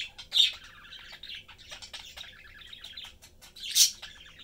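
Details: Budgerigar family, blue father, yellow mother and their youngster, chatting and eating; dense scratchy warbling chatter with two loud shrill chirps.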